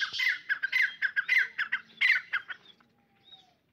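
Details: Partridge call during a fight: a run of harsh, scratchy chattering notes that gradually fade, followed by near silence with a faint thin whistle.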